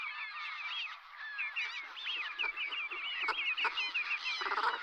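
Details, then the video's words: Wintering brent geese at Strangford Lough, County Down, Northern Ireland, on an estuary sea lough. A flock keeps up overlapping, nasal, rising-and-falling honks and short gabbling notes with no pauses. "Brent geese"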